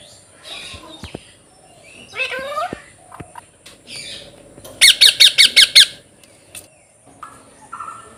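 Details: Parrots at play in a field on an autumn afternoon, giving scattered chirps and harsh rising calls over a constant background hiss, then a quick run of about seven loud, harsh squawks, followed by softer notes.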